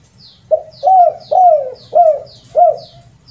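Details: Rare 'kuk 2 and kuk 3' cooing of a spotted dove, used as a lure call: five mellow, hollow notes with long falling middle coos, while another bird gives thin high chirps repeated about every half second.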